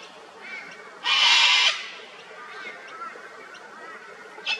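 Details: A sulphur-crested cockatoo, Australian icon, visiting an old dead tree to feed on honey, lets out a single blaring, harsh screech of over half a second, then quiet background with a brief final squawk.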